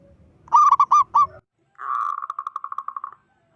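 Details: Loud local zebra dove calling to provoke other zebra doves: a quick cluster of four or five clipped, hooked notes, a brief silence, then a steady fast trill of evenly pulsed coos lasting over a second.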